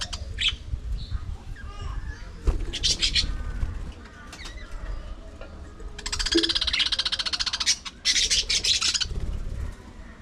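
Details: Budgerigar parakeets in an aviary colony: scattered high chirps early, then two loud stretches of rapid, buzzy chattering in the second half, with low rumbling background noise.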